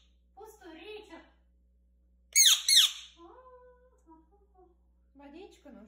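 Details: A talking pet Indian ringneck parakeet speaks short, nasal, speech-like Russian phrases about water and wanting to bathe, broken midway by two loud, harsh screeches.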